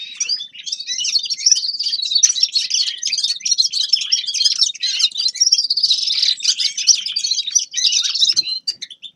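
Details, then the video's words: Sustained, high-pitched twittering of a Grey-crowned goldfinch lasts nine seconds: a dense, jangling run of chirps and trills with barely a break. "Седоголовый щегол Carduelis caniceps певчая птица"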